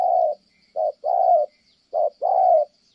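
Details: Close, loud 'thổ' coo of a spotted dove from Kon Tum, Vietnam: a long coo, then two pairs of a short note followed by a drawn-out warbling coo, with a faint high hum.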